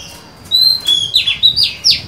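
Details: A female white-rumped shama sings to draw in a male, recorded 23 July 2020. She gives a brief run of bright whistles, then quick downward-sweeping slurred notes in close succession.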